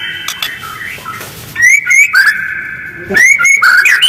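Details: White-rumped shama lure song, harsh and fast with tight pauses, used to provoke other birds into answering: bright rising whistled notes with a sustained tone beneath, strongest in the second half.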